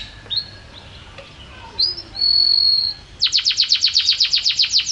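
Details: Champion canary for training home caged birds: soft scattered notes, a long sustained whistle, then a bright, rapid trill of repeated sharp down-slurred chips.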